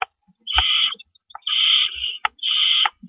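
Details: Night at an owl nest, April 4 2012, around 4:30 AM, with rabbits being brought in; three long, steady, harsh hissing screeches follow one another, each separated by a sharp click.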